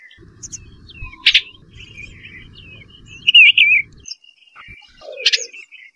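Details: Soft warbling song of an Eastern bluebird, quiet whistled notes and one short burbled phrase, over a low rumbling background with a couple of sharp clicks.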